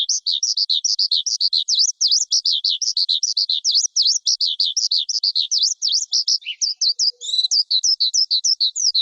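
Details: Lark in song: a fast, unbroken stream of high, clear twittering notes, many rapidly rising and falling, with a brief lower dip near six seconds before more varied chirps and trills. No other sounds.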